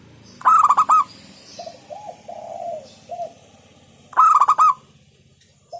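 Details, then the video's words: Local zebra dove (perkutut lokal) in hentakan style, said to provoke rivals: two loud bursts of rapid stuttered coos nearly four seconds apart, softer low coos between them, over a faint low background hum. "Hentakan Burung Perkutut LOKAL Suaranya Berkelas bikin Emosi Lawan"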